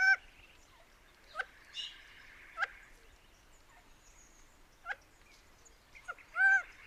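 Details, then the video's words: Gambel's Quail, which lives in flocks in open, scrubby habitat, giving loud, slurred wailing calls with a harmonic, nasal quality, interspersed with short sharp clucks at irregular intervals. "Listen for loud wailing calls and various clucks and chuckles."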